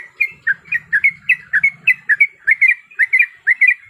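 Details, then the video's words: Sooty-headed bulbul female in breeding condition calling to a male, used as a lure: crisp squeaky chirps, often in quick pairs, steadily repeated, over a faint low hum. "Suara Pikat Trucuk Gacor Ampuh Bikin Gacor"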